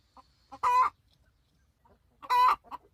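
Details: Hen complaining that her nest has been occupied, giving two loud, raspy, strained screeches about 1.7 seconds apart, each flanked by short soft clucks, with near silence in between.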